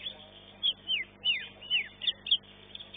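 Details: Caged greater green leafbird in a bird-singing competition in Indonesia, placing second in its class: a series of clear, high whistled notes, each sliding downward, given about every third of a second, with faint background murmur.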